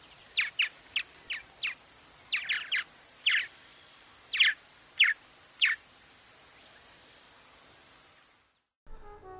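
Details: Purple martins nest in colonies, and this call is given in flight display: a loose series of about a dozen short, burry chirps, some paired, over six seconds, then a quiet pause before music begins.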